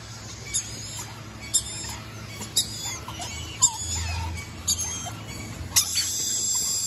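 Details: Red-collared lorikeet giving short, shrill, high screeches, about one per second with small gaps, some doubled, over a steady low background hum.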